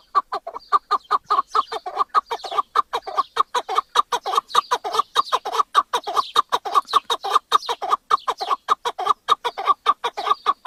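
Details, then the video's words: Chukar partridge calling, a steady run of loud, clucking chuck notes repeated rapidly, nearly two per second, with little else heard. "Partridge Call | Chukar Sound Effect"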